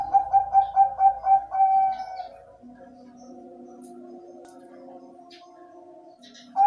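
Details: Caged Bangkok-type zebra dove (perkutut) singing a tutor song meant to prompt other perkutut: a run of six soft, rhythmic coo pulses followed by a long held note, then quieter drawn-out tones.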